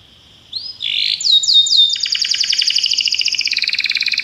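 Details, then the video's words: Belgian canary singing a training song: quick downward-sweeping whistled notes leading into a long, steady, rapidly pulsed trill. "treinamento para canário belga"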